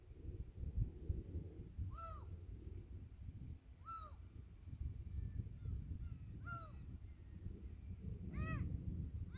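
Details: Gulls call on an evening at Yedanpo harbour, Yeongjong Island, by tidal flats, 15 June 2023: four short, nasal, downslurred cries a couple of seconds apart over a steady low rumble of wind and harbour noise.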